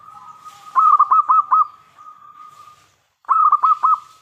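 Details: Local Indonesian zebra dove in full song, used as a lure to make other doves answer: two bursts of fast, throaty, stuttered coos at mid pitch, each burst of four to five rolling notes, over a steady humming tone.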